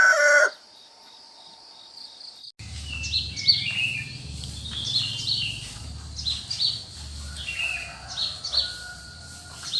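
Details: Birds in the cool countryside in early morning: after a short loud burst and a silent gap, several high, sharp chirps and short warbled notes overlap irregularly, with a faint low hum beneath.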